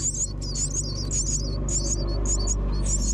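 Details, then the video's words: Myna chicks while a parent arrives with food: dense, repeated high squeaky chirps in bunches, backed by a constant low drone. "Myna Bring Food come Feed baby"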